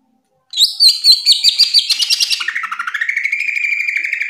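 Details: Greater green leafbird, a top national singer, delivers an unbroken song: sharp high notes sliding into a fast, descending, buzzy trill that settles into a steady rapid warble.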